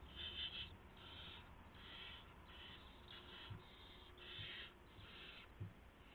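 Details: Owl at a nest in the early hours of March 24, 2016, while prey is brought in. A string of coarse hissing screeches follows almost without pause, with a faint low hum and small knocks.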